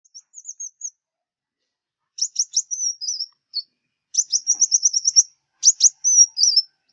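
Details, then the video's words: Sunbird, known locally as the five-colour sunbird, from southern Vietnam, recorded as a lure for glue traps: thin, very high chips and short whistled notes in bursts, then rapid trilled runs of sharp ticks ending in slurred whistles. "Tiếng chim hút mật 5 màu miền Nam"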